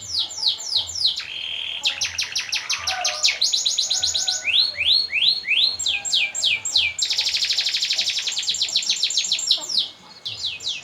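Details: Canary song used as master audio to stimulate other birds to sing and for contests: fast repeated downslurred high chirps, a steady flat trill, and long rolling buzzy trills changing tour every second or two.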